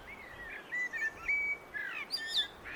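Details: Singing common blackbird: a string of rich, flute-like notes that rise and fall, each phrase closing with sharp, high-pitched squeaky twittering against quiet outdoor ambience.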